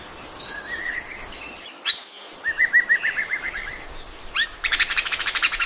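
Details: Oriental magpie-robin song. Soft warbled notes lead into a loud, sharp whistled note and a rapid string of short, even chirps. A further whistle is followed by a dense, scratchy, rattling series over a quiet natural background.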